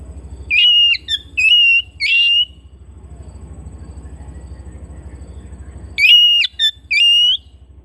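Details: Caged Oriental magpie-robin kept at home delivers clusters of loud, clean, slightly rising whistles in quick groups, then falls silent for several seconds before resuming, all over a constant low hum.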